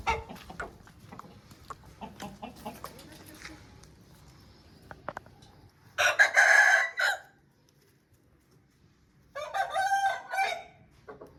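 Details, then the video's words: Aseel rooster crowing twice, each crow a harsh, strained call of about a second, spaced several seconds apart. Softer clucks and clicks are heard beforehand. "Aseel Bird Sound Effect"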